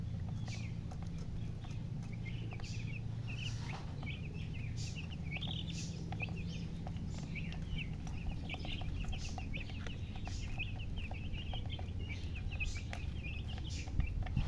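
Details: Baby chicken chicks chirping: a steady stream of short, high, downslurred peeps that overlap throughout, with several birds calling at once over a constant low rumbling hum.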